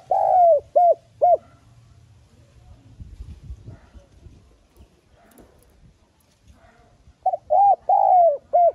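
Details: Spotted dove lure call in a soft urging voice: a long falling coo and two short coos open, a quiet stretch with faint rustling follows, then a new phrase of short coos and a drawn-out descending coo.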